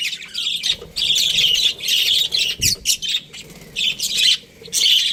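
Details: Australian budgerigars, a breeding pair, chattering in scratchy high phrases of about half a second, broken by short pauses, with a brief low knock midway.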